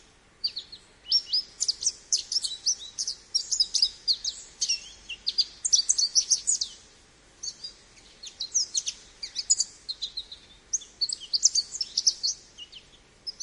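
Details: Extended American goldfinch singing: bursts of rapid, high, canary-like twitters and slurred whistles, a short silence near eight seconds, then another long energetic run of warbling notes.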